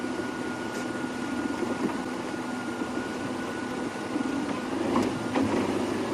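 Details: A vehicle engine idles through a sunset safari drive, giving a low steady hum with a faint constant whine and a few soft knocks, and no animal calls.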